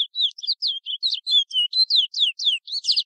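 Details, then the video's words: A continuous run of high, sweet, slurred whistles from a Chestnut-bellied seed finch performing the "Ananas" song type of French Guiana, about five quick notes per second, many sliding downward, some with twittering accents. "chant "Ananas" local Guyane FRANCAISE(sporophile curio) Oryzoborus angolensis."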